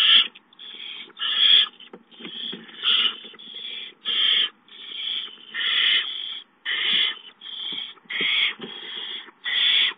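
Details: Hissing barn owl owlets at feeding time: a long run of short, harsh, breathy hisses, roughly one per second, uneven in loudness.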